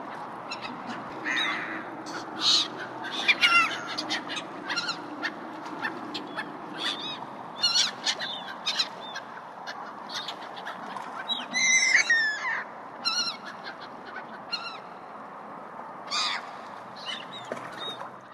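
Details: Gulls at a harbor call repeatedly in harsh, yelping bursts over a steady low background murmur.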